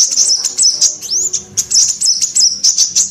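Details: Female sunbird call played to lure males that will not sing: rapid, steady stream of shrill high chips with one upward-sweeping whistle near the start, continuing without a break.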